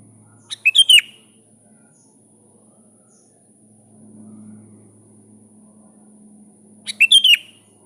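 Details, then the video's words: Sooty-headed bulbul calling to a rival: two quick bursts of slurred, bubbly whistles six seconds apart, over a low rumble like distant traffic. "Suara Burung kutilang gacor memanggil lawan"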